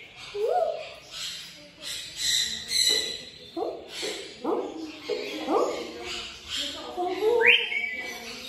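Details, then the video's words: Talking African grey parrot: a string of speech-like syllables with rising and falling tones, each about half a second apart, ending in a sharp upward whistle. "Tolking african grey parrot"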